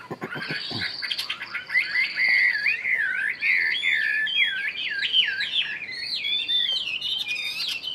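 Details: After a few sharp clicks, a Chinese hwamei kept one year in a cage launches into a long flowing song of liquid looping whistles, continuous and loud.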